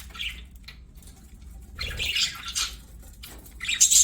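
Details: Budgerigars singing while playing: scattered high, scratchy chirps and short warbled bursts separated by quiet gaps, with a faint low hum underneath.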